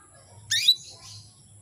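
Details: Female canary call intended to arouse males and spur their singing: a single loud, rasping, downward-sweeping chirp followed by a faint buzzy trailing note, with low background hum.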